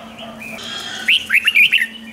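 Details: Red-whiskered bulbul 'rik' song, played to rouse caged birds: a faint thin whistle followed by one crisp phrase of five rolling, slurred notes lasting under a second.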